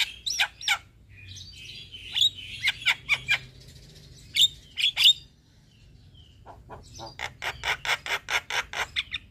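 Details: Captive black-winged starling song used to get quiet birds singing: rasping bursts and whistled notes, a pause, then a steady run of rapid clicking chatter.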